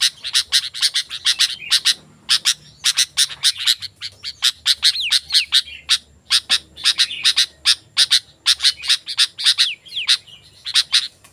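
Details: Sooty-headed bulbul, lively song for attracting wild birds and tutoring kept bulbuls: long, steady stream of harsh chattering bursts mixed with short falling whistled slurs, almost continuous for over ten seconds.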